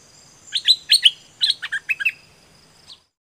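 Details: Bird song used to train birds: a lively run of about eight bright, descending chirps grouped in pairs, ending with a faint final note.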